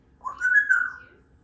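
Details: A pet female Congo African grey parrot that talks at home gives one clear whistle that rises, holds steady and then eases down, lasting under a second.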